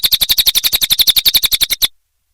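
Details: Cililin song used as a training recording for caged songbirds: a rapid, even series of sharp, high buzzy chirps, about ten per second, ending abruptly into silence.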